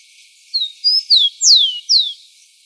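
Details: A wild rufous-collared sparrow (Zonotrichia capensis), recorded live in nature, sings a short phrase of clear, high whistles that slur downward.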